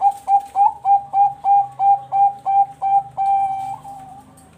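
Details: Zebra dove, a Bangkok-type perkutut bred at a farm in Bekasi, West Java, Indonesia, singing steadily: a series of about eleven clear, even cooing notes roughly three per second, ending in one long drawn-out coo.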